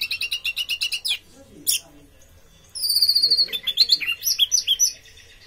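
Orange-headed thrush singing a quick run of repeated high chirps, then a brief pause and a rich, varied stream of whistles and sweeping notes; faint voices behind.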